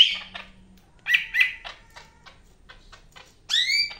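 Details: Cak ijo Medan, the greater green leafbird, singing: a burst of rough chatter, paired buzzy notes, scattered soft clicks, and a final set of clear falling whistles.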